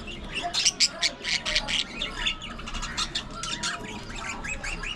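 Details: Aviary budgerigar colony giving a busy stream of sharp, high chirps and squawks in quick bursts, overlapping calls from several birds.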